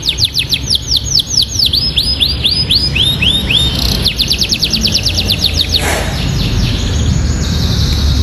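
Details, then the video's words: Canary trained with a bar-winged prinia (ciblek) song filling. Fast descending notes slow into looping arched slurs, then a new rapid trill, briefly interrupted by a short noisy burst. "KENARI ISIAN MEWAH SUARA KENARI ISIAN CIBLEK GACOR"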